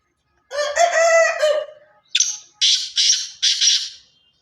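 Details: Black francolin, pure Sindhi chirki strain, calls loudly: a nasal, grating harmonic phrase, then four strident rasping bursts about half a second apart, otherwise quiet.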